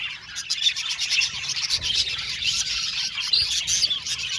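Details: Budgerigar colony in an aviary, a dense, continuous layer of high twittering chirps and warbles from many birds at once, with quick overlapping notes and small squeaks and no pauses.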